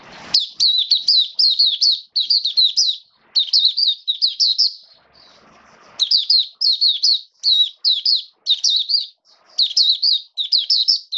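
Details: Caged Oriental white-eye in rainy wet weather, 29 September 2022, delivering clear, rhythmic high twittering phrases of three to four rapid notes each, repeated steadily with one quieter pause in the middle.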